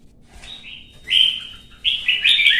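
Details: Brief competitive song of a red-whiskered bulbul: a thin whistled note, then two loud, bright, slurred warbling phrases in quick succession.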